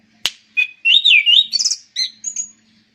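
Orange-banded thrush singing a quick, varied run of high slurred whistles and buzzy chips, opened by a sharp click, with a faint low hum underneath.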